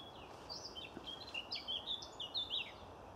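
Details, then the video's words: A garden warbler sings a fast, continuous warble of varied high, mellow notes, slightly distant, over a steady roar of M11 motorway traffic on a summer morning, 14 July 2016, at the Roding Valley nature reserve, Loughton. "there's a garden warbler singing in the background now."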